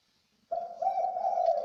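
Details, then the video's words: Spotted dove, described as a rare bird with a three-note "kuk" call. A low, hoarse coo starts abruptly after half a second of silence and is held unbroken and steady for about a second. No other sounds are heard. "BURUNG DERKUKU | DERUK BUNYI KUK 3X"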